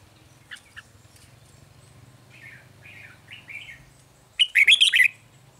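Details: Quiet wavering warbles and then a loud burst of bubbling whistled notes from a Red-whiskered bulbul at a bird trap, 9 March 2020, over a constant low hum.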